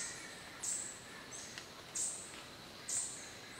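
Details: An adult male three-wattled bellbird on its perch in Curi-Cancha Reserve, Monteverde, Costa Rica, gives loud, sharp, explosive notes about once a second, three in all, over a steady high hiss of insects and distant forest sound.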